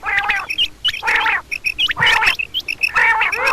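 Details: Double calls of a female common quail: grating, buzzy bursts about once a second, broken by quick high chirps and clicks. Background is quiet.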